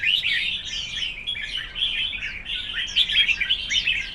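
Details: A red-whiskered bulbul singing contest: rich, rapid whistled warbles with sharp slurred notes overlapping constantly, swelling louder toward the end.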